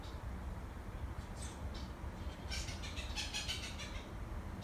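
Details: Blue jay in Monroe, calling as if trying to say something: a few faint notes early on, then a burst of harsh, buzzy repeated calls in the second half, over a constant low rumbling background.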